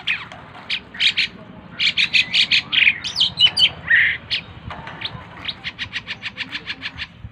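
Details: Lively song from a tame Asian pied starling. Loud grating bursts and mixed squeaky whistles give way to a fast, even series of short scratchy notes, about three per second.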